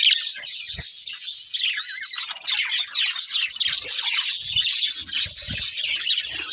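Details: Chirping from a breeding pair of budgies as they eat, a busy stream of high, fast warbled chirps and squeaks with a few soft low knocks.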